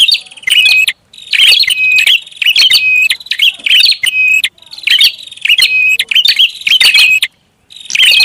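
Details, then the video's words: Prinia lure sound, noisy style: sharp, buzzy chatters with steady whistled notes repeat about twice a second. Brief complete silences break the sequence. "SUARA PIKAT BURUNG PRINJAK ATAS RIBUT"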